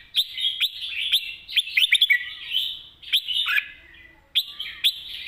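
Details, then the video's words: Red-whiskered bulbul delivering energetic 'mae bot' master song: fluid warbles punctuated by crisp staccato chirps in quick trills, a pause, then renewed phrases; a faint lower sliding whistle from another bird sounds in the background. "นกกรงหัวจุก ร้องมันส์เพลงแม่บทสับกระจาย"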